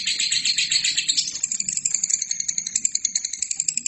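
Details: Training song of a lovebird: high, rattling chatter that begins dense and buzzy, then thins into separate sharp ticks repeating roughly four times a second, over a low steady hum.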